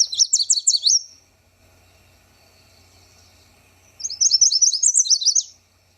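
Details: Yellow Warbler singing in wetland shrubs; two bursts of fast, sweet, clear notes delivered rapidly, the first ending in a short trailing note, the second longer with an up-and-down run, separated by about three seconds of quiet.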